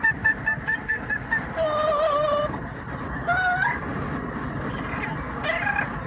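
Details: Yellow-naped amazon parrot kept as a pet, singing opera while riding along on the commute; quick repeated notes give way to a long vibrato tone and sliding whistles, with engine hum underneath.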